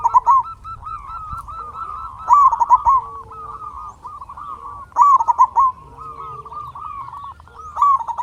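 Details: A vocal local zebra dove, kept as a lure and singing tutor for quiet doves, delivers loud bubbling coo phrases about every two and a half to three seconds, four bursts in all, against a constant hum of other doves cooing.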